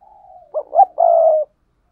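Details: Spotted dove pair cooing: a faint trailing coo followed by a clear phrase of two short hooting notes and one long, level, mellow coo.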